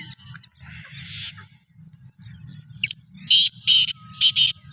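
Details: Kala teetar, the black francolin, in training for chakri alongside other francolins, gives a quick series of four rasping, hissy notes after a quiet stretch. A constant low droning hum runs underneath.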